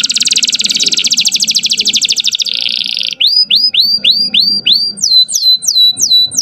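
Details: Canary song used to bring females into breeding readiness: a long dense rattling trill for about two and a half seconds, a brief buzzy note, then rising swept whistles repeated rapidly and ending in sharper descending notes.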